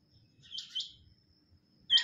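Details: A female quail, recorded for quail hunting in Pakistan, gives two soft, high chirping notes close together, then a louder, sharper burst after a short pause; background otherwise quiet.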